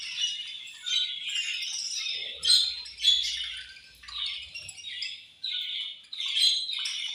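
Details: Caged budgies eating and chirping: continuous raspy chatter with brief clear whistled notes, several birds overlapping, light low knocking in the middle.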